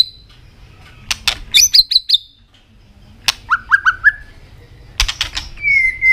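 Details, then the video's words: Asian robin singing short, varied phrases of high, thin whistled notes, some quick and trilled, others lower and slurred, with sharp clicking ticks between them. "Robin singing"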